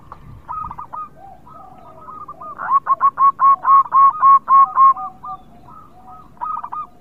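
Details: Local zebra dove in full song, meant to stir idle birds into singing: soft murmuring coos lead into a regular run of about eleven round, evenly paced notes, then quieter coos trail off.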